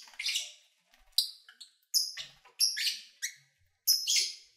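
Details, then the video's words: Pet lovebirds chirping while eating and playing: sharp, high chirps and short whistled notes in quick bursts, some buzzy and harsh, spaced roughly every half second to second. "1 Hour Lovebird Sounds"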